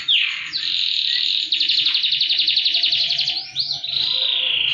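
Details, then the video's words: Canary singing loud high and low song, used to coax silent canaries into song: a falling whistle, then a long fast rolling trill with rapid pulsed notes, ending in sweeping upward whistles. "KENARI GACOR ATAS BAWAH || cocok buat pancingan kenari macet bunyi & masteran burung"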